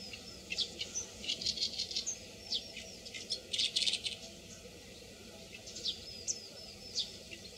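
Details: An Oriental reed warbler (Acrocephalus orientalis) calls with loud, harsh, grating notes in chattering bursts, mixed with a few higher squeaky whistles, over a faint steady hum.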